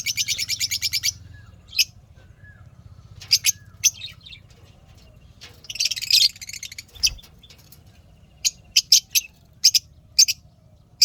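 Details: Lovebirds chirping in a happy mood: an opening rapid string of high twittering notes, then scattered sharp single chirps and one longer raspy burst amid quiet stretches.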